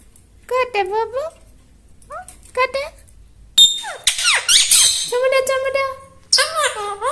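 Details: Talking parrot in a small room: speech-like syllables and babble, then a harsh squeaky outburst followed by a steady, flat, nasal utterance and a final burst of chatter.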